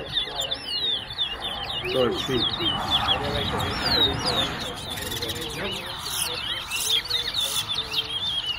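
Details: Caged Wessequibo towa towa birds at a whistling competition, Tuschen bird ground, Guyana: rapid high warbled whistles with sweeping slurs run continuously over low human voices and crowd murmur.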